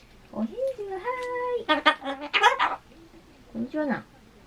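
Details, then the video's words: Ducorps's cockatoo kept as a pet in a small room, lately fond of answering "hai" and saying "konnichiwa" (hello). Rising and level tonal syllables give way to a run of rapid, rough, voice-like bursts, then one last rising note. "Today's cockatoo is "Kon'nichiwa" day"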